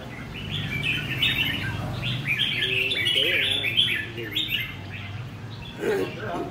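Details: Red-whiskered bulbul's "ché" song: quick chattering high notes tumbling in a continuous run, with low talking and a man's voice heard through the middle.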